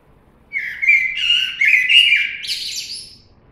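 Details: Common blackbird sings one phrase of about three seconds: a mellow, fluted warble ending in a thin, squeaky, high twitter, against an otherwise quiet background.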